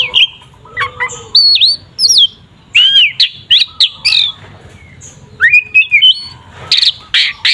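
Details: Provoking fighting song of an Oriental magpie-robin, 'tarung ngeplong' style: loud looping whistles and trills in short phrases, with brief pauses between, ending in harsh scratchy bursts.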